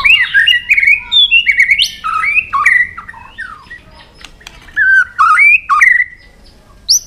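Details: White-rumped shama provoked into fighting song: rich whistled phrases of clear, slurred notes sliding up and down, broken by short pauses and a few sharp clicks.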